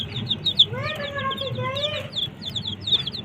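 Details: Desi chicks with a colored hen, kept warm under care: high, short, downslurred peeps repeated across the clip, with a lower drawn-out wavering call in the middle.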